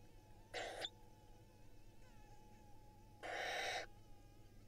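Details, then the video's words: Nest-cam recording from Israel of barn owl chicks lined up as their mother feeds them. Two harsh, breathy screeching hisses about three seconds apart, the second one longer. "Barn owl nestlings line up and get fed by Mom"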